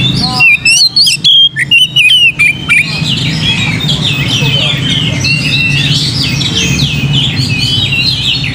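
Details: Lure song of an Oriental magpie-robin meant to provoke singing: about three seconds of bright, varied whistles and slurred notes, then a continuous jumble of scratchy chirps above a steady low hum.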